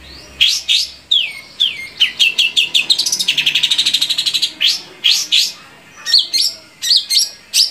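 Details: Long-tailed shrike song used to make captive shrikes sing: descending whistled slurs, a rapid buzzy trill in the middle, then spaced sharp chips and whistles.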